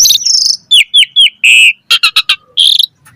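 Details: Asian pied starling in full varied song, a lure for caged birds: thin high whistles, three short falling notes, a strong harsh note, clipped chattering bursts and a final buzzy phrase.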